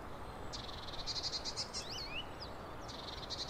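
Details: European greenfinch singing on the Netherlands coast, heard at a distance: fast buzzy trills and brief twisting whistled notes, with a soft background hiss.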